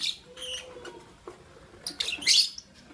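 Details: Captive lovebirds, albino and Euwing green opaline, chirping in the morning: sharp high chirps and brief buzzy bursts scattered across three seconds, with a faint low whistle and quiet background rustling.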